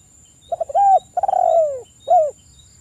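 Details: Spotted dove calling, recorded as a lure to make doves call quickly: soft stuttering notes, a clear coo, a long rolling burred note sliding downward, then a final short coo.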